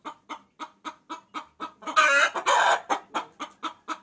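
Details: Hen calling a rooster as a lure: evenly spaced clucks about twice per second, interrupted midway by two loud, rough, longer cackles before the steady clucking resumes.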